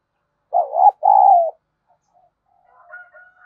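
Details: Spotted dove kept as a decoy for provoking rivals. A single deep coo phrase: a short wobbly note, then a longer even note fading down. Quiet coos and a faint thin whistle follow.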